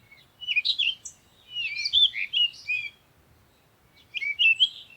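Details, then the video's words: In a peaceful rural yard, songbirds give busy runs of high, sharp chirps and twitters, falling quiet for about a second before another burst of bright tweeting starts. "Enjoying the Beautiful Sounds of Birds Chirping in the Country"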